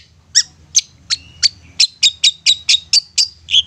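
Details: Long-tailed shrike song used to make silent shrikes sing: a steady series of about twelve short, sharp, high chips, repeated roughly every quarter second.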